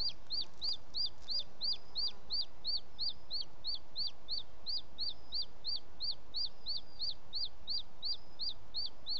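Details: Booted eagle male delivering a prey bird to the nest at 20:09, 18 June 2017, Els Ports Natural Park: a long, even string of about twenty-two high, shrill, clipped notes, steady rhythm near three per second, light background noise.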